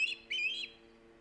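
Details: Osprey calling at its nest on Hog Island, live nest camera, 3 September 2019: two loud, high whistled chirps in quick succession, with a steady low hum underneath.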